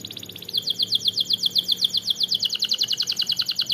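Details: Canary song used to stir rival birds: a steady, fast trill of short repeated notes, about seven per second, high and even, over faint low background noise.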